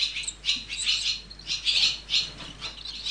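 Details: Nestling barn swallows during parental care give a near-continuous chorus of shrill, harsh, buzzy chirps, swelling in loud pulses several times a second with only brief dips, over faint low background hum.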